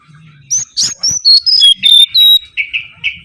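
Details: Mangrove whistler lure song: loud, clean whistled notes descending in steps from very high to mid pitch, finishing with three or four shorter, lower repeated notes.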